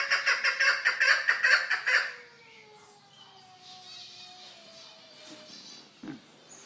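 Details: Kept Chukar partridge giving a loud run of harsh, rapid chuk notes for about two seconds, followed by quieter drawn-out whistled tones and a brief knock near the end.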